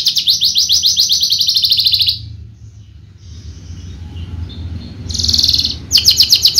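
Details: Horsfield's bushlark of the javanica type, a contest bird, singing rapid high, buzzy trilled notes at about four per second in two-second bursts, then a quieter stretch with low hum before more bursts return.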